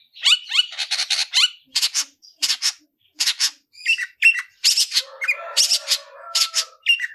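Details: Cendet, the Long-tailed shrike, singing a 'tarung ngalas' fighting song meant for training other birds: bursts of scratchy, rasping notes in quick clusters separated by brief pauses, with a few thin whistles and a low buzzy underlayer near the end.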